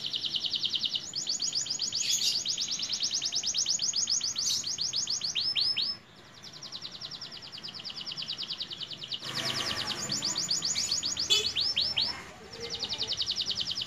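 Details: Song of a young canary, voice newly broken: fast high rattling trills in long phrases, a short pause near six seconds, then more trills with a brief noisy rustle in the middle.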